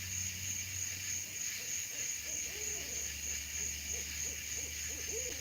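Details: Two owls calling near at night: soft, low hooting notes come in quick irregular runs, several arching up and down in pitch, over constant background hiss and a steady high whine.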